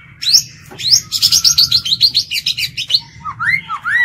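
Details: White-rumped shama lure bird singing to challenge other birds, wild-style song: a rapid run of about fourteen quick high repeated notes, followed by looping whistled upslurs and downslurs, with a faint low hum.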